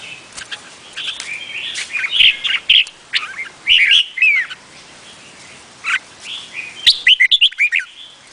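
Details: Red-whiskered bulbul, Vietnamese type, singing warbled phrases of clear, bending whistles, ending in a fast, even run of short chirps, with softer bird chatter continuing in the background.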